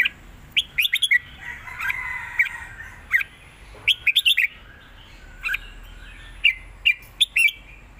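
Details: Red-whiskered bulbul, southern-style 'mae bot' song with 'rik' notes: dense, lively sequences of short bright whistles and chirps, grouped in bursts of three to five notes throughout, with faint softer warbling in the gaps.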